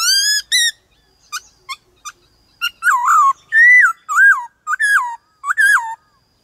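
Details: White-cheeked laughingthrush performing wild-style varied song for training young birds: two bright opening whistles, a string of short clipped notes, then loud arched whistled phrases that rise and fall, repeated several times.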